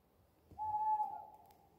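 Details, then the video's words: Wild owl hooting at night from a small woodland by a street lamp, very close to a bedroom window outside a front garden: one clear, steady whistled hoot lasting over half a second, fading out, in otherwise quiet surroundings. "Recorded an owl 🦉 hooting near my bedroom window"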